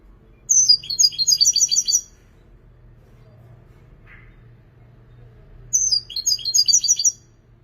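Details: European goldfinch delivering two bursts of bright, rapid twittering song about four seconds apart, each a quick run of high tinkling and trilled notes lasting roughly one and a half seconds, with a low steady hum between phrases.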